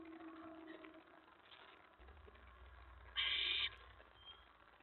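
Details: Owl at its nest, mouse delivery at 4:46 AM on May 15, 2017: quiet rustling and a low hum, then one loud, rasping hiss lasting about half a second.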